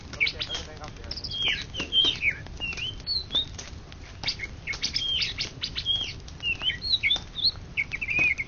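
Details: Greater green leafbird that won an Indonesian championship in 2013–2014 sings a varied chatter of bent whistles and chirps, interspersed with sharp crackling clicks.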